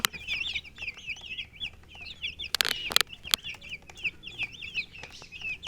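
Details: Chicks peeping in a steady stream of high, wavering chirps that rise and fall quickly, broken by a few loud clicking thumps midway.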